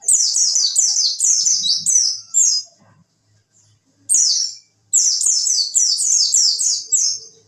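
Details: Oriental white-eye, a tutor recording for contest birds in the wit wit style, pouring out rapid high descending chirped notes in dense bursts, broken by a short silence, with faint low thumps underneath.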